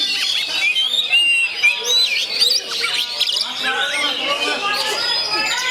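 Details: Oriental magpie-robin of the 'gondo mayit' kind singing naturally: shrill, tumbling whistled phrases with swooping up-and-down notes and a buzzy trilled passage, crowded and continuous.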